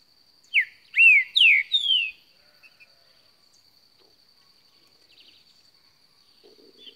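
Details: A newly acquired green-winged saltator, recorded 16 December 2018, gives a brief, loud phrase of four rich whistled notes, slurred and falling, then goes quiet; a steady high hiss runs underneath.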